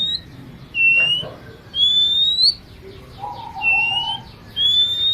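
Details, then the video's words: Oriental magpie-robin singing vigorously in a song full of fills: clear slurred whistles at a high pitch, each about half a second long and spaced roughly one second apart, with a lower, flat, hummed whistle midway and faint background hiss. "kacer gacor full isian"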